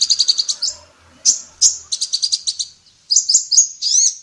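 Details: Vigorous female sunbird song used to train songbirds: rapid, evenly pulsed strings of high chirps, a few longer slurred notes, then a final run of arched, rising-falling notes.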